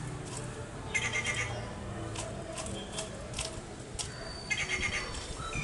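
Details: Rufous treepie calling: harsh, nasal bursts with a layered, metallic ring, the clearest near the start and again toward the end, over steady background hiss and low rumble.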